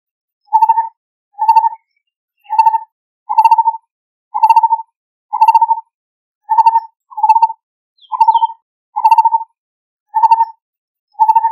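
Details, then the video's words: Calling to its mate, a Lineated barbet repeats a low, rolling hoot, eleven short throbbing notes at roughly one-second intervals. A faint high chirp from another bird slips in near the end. "Tiếng chim Thầy chùa bụng nâu kêu bạn | Chim thầy tu | Lineated Barbet call"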